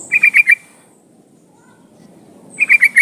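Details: Sooty-headed bulbul female in breeding condition calling to draw a male: two quick bursts of four bright, bubbly notes, about two seconds apart, over a low background murmur.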